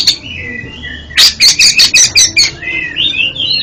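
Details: Oriental magpie-robin song, offered as therapy for a magpie-robin with faltering song: soft whistled notes, then a run of seven loud, harsh, evenly spaced rasping notes, followed by sweet sliding whistles.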